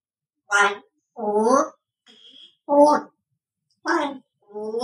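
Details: Cherry, a 4-year-old female Congo African grey parrot, talks in a child-like voice, counting aloud in five short spoken bursts about a second apart, with one faint whistle in between.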